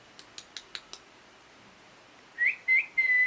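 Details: Loud parrot chirping: five faint dry clicks at a steady pace, then three clear whistled notes, each sweeping upward before levelling off, the last held longer.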